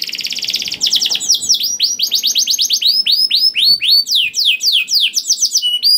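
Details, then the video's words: Singing canary in 'ngerek' style, played to prompt other canaries to sing: a short buzzy trill opens, followed by a long run of arched, swooping whistled notes, roughly two per second, with thin higher notes layered above. "PANCINGAN KENARI GACOR DOR NGEREK PANJANG INI AMPUH BIKIN KENARI LAIN BUNYI"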